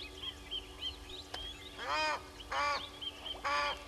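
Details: Egyptian goose at Gowrie dam waterhole, Djuma Game Reserve, Sabi Sand Wildtuin, South Africa, on a live waterhole camera at 05:57 on 09/05/21: three loud, hoarse, harmonic honks, each about half a second, over faint twittering of small birds and a steady hum.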